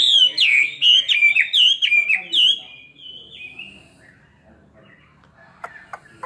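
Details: Chinese hwamei caged for two years, singing a fighting song. A string of loud, falling whistled notes lasts about three seconds, followed by near silence and a few faint clicks.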